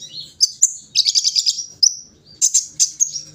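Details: Brown-throated sunbird during morning dewing, giving sharp high chirps followed by a fast stuttering trill, then more bright, separated tweets.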